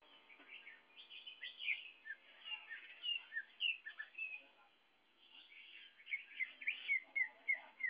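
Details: Young greater green leafbird singing busily: a varied run of quick whistled and chirping notes, some sliding down, with a short pause midway and then a string of repeated clear downslurred whistles.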